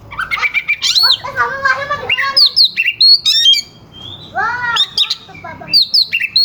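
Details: Caged oriental magpie-robin in rough, sharp song used to provoke rival birds: harsh buzzy descending notes, quick chattering runs and high whistles, with a short quiet gap midway.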